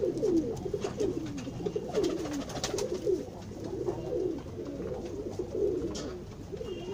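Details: Pigeons at lunch time, cooing steadily in a low, throaty rolling voice, several soft coos overlapping through the clip, with faint clicks and knocks in a room-like space.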